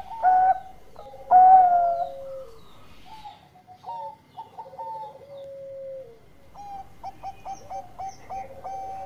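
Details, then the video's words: Zebra dove song that opens with two loud, rich coos and continues with softer level tones and a long falling note, ending in a fast run of short repeated coos. "Raja Suara Mas Perkutut Gacor"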